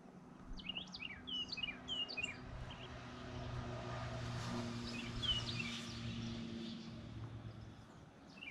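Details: An endangered male golden-cheeked warbler close ahead on the Baker Springs trail in Austin in June 2020 gives quick, high chirping notes in scattered bursts, about three per second, over a steady low engine-like hum.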